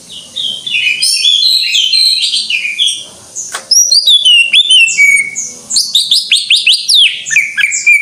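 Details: Greater green leafbird singing full gacor. A busy warbling passage breaks off briefly, then returns as bright sweeping whistles and a fast series of rising and falling notes.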